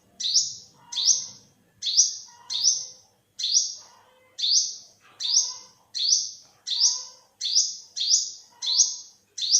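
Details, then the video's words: Thirteen or so sharp, high rising calls from an olive-backed sunbird in a 2021 recording, delivered at slightly irregular intervals over ten seconds, each note bright and sibilant. Quiet low chirps occur between them. "เสียงนกกินปลีอกเหลือง Olive-backed sunbird, Yellow-bellied sunbird"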